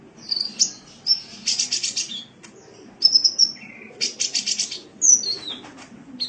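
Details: Sunbird recorded for training cage birds. High squeaky whistles mix with harsh, buzzy rasping bursts and a brief lower note. The phrases come in quick, scratchy spurts.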